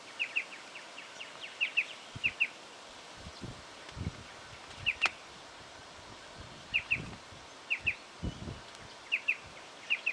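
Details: Repeated two-note calls of a striated pardalote, recorded in Victoria, Australia, October 2011; each pair is a crisp high double chip, given about every second, with soft low rustling and bumps underneath.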